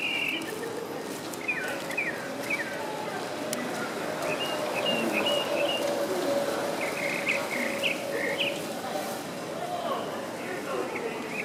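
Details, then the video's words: Tropical mockingbird singing near Tulum, Quintana Roo, Mexico, in November 2014: a rapid run of short chirped and slurred phrases, some rising and some falling, delivered in quick bursts over a steady broadband hiss. "Tropical Mocking Bird Singing"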